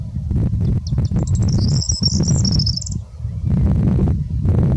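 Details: Corn bunting on Plex Moss, Lancashire, 16 May 2020, in strong buffeting wind, gives one high, dry, jangling song, a quickening rattle of glassy notes about two seconds long, over heavy wind rumble.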